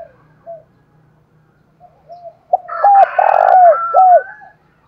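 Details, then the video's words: Spotted dove decoy bird with a 'thổ đồng' style voice, calling to lure wild doves. After faint opening coos, loud mellow coos run in a quick series of rounded, slightly falling notes, with fainter harmonics above. "Chim Cu Mồi giọng đồng pha + thúc rút bổi + gáy gọi bổi + cu gáy giọng thổ đồng"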